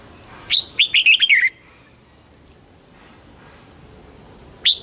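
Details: Caged red-whiskered bulbul singing, used to stir up caged birds: one brisk phrase of liquid whistled notes falling in pitch, followed by about three seconds of quiet and the start of another note.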